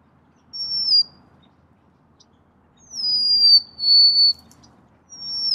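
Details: Golden-crowned sparrow whistles: a short high falling note, then a longer phrase of two drawn-out descending tones, and the start of another, over a faint low hum.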